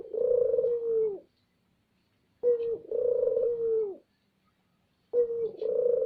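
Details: Spotted dove lure bird calling loudly with low, hollow coos, each a brief introductory note then a sustained, slightly falling coo, phrases repeated about every two and a half seconds.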